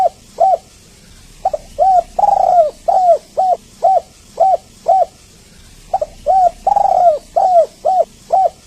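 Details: Spotted dove lure call to stir reluctant doves: brisk run of short, hooked coo notes, some doubled, broken by occasional longer, fuller falling coos, repeated in two bursts over a constant background hiss.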